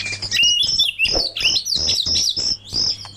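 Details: Oriental magpie-robin (kacer) song paired against a murai for lure and tutor use: rapid high whistled and twittering phrases, sliding notes and buzzy trills, with a steady low hum beneath.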